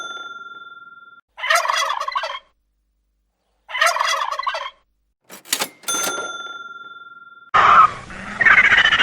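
A turkey gobbles twice, each a rapid, rattling, descending burst about a second long. A steady electronic tone sounds between them, and a noisy passage follows.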